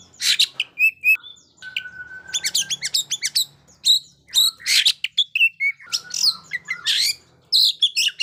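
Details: Oriental magpie-robin in full song, played for training young birds that are still silent: a rich, varied run of loud whistles, sweeping slurs and sharp chattering notes with brief pauses, including a long steady whistled note.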